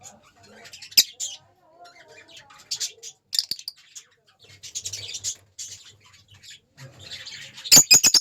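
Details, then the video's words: Lovebirds chirping: high, scratchy chirps and squeaky twitters in scattered bursts, with faint low rumbling between them. Several sharp clicks or taps, and a dense cluster of loud chirps near the end. "Love bird sweet sound"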